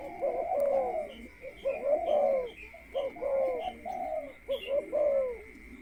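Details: Spotted dove kept as a ground decoy and prepared before entering a breeding cage, cooing in a series of short, throaty, falling notes grouped in phrases; constant high-pitched tone and light chirps behind.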